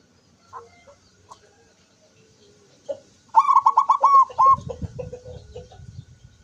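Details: Zebra dove singing with open beak on 24 September 2023: scattered faint notes, then a single loud rapid string of about eight bright pulsed notes, followed by low rumbling noise.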